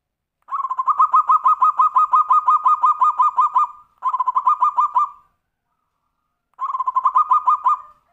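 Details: Zebra dove in the tumpang sari song style, used to prompt other birds to sing: long runs of rapid, even cooing pulses in three bursts, the first lasting over three seconds.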